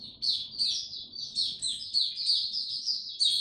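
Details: Caged white-eye in warm, very humid weather pours out a rapid, high-pitched twittering song of sliding chirps and trills, with a faint low hum underneath.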